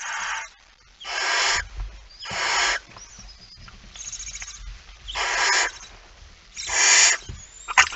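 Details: Male barn owl arriving with a mouse at 23:55 on 17 September 2019 in Friesland, Netherlands; harsh, hissing broadband screeches of about half a second, five loud bursts with short gaps, plus a faint later one.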